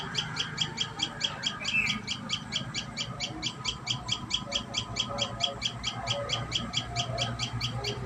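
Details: Common tailorbird calling at the nest: a fast, regular run of high, piercing chip notes at about two per second, with faint low hum underneath.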